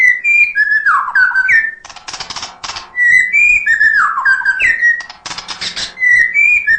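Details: Murai batu (white-rumped shama) singing continuously, a full song packed with fills, used to stir quiet birds into singing: rich whistled phrases swooping down and rising, broken by dry, rapid clicking rattles.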